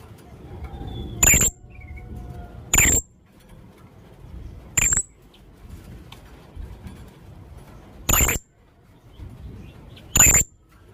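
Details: Young blue-crowned hanging parrot calling as a lure: five piercing, very high, clipped squeaks spread unevenly over eleven seconds, a quiet whistle faintly behind.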